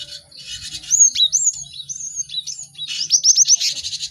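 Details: Cinereous tit song for training caged birds: clear whistled slurs rising and falling one after another, ending in a quick burst of sharp, rapidly repeated high notes.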